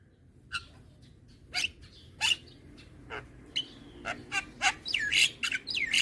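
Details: Young white-eyed Javan myna calling often while bobbing its head, its voice used to lure hybrid mynas; scattered sharp clicks and short whistled notes that come closer together toward the end, ending in rising slurred whistles.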